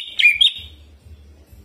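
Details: Greater green leafbird (Chloropsis sonnerati) song in a quick burst of high, sharp whistled notes lasting half a second, then silence over a faint low hum; described as a lively song with fill-in imitations of bar-winged prinia and jamtrok plus rolling phrases.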